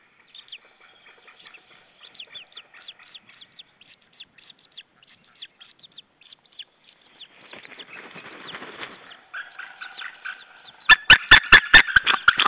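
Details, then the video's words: White-tailed eagle pair at their Saunja nest in Estonia, evening of 26 April 2013, shouting at another white-tailed eagle: faint high ticking notes at first, a rough rustle, then a loud burst of rapid yelping notes at the end. "Saunja Sulev arrived shouting than came Linda, both shouting to another WTE"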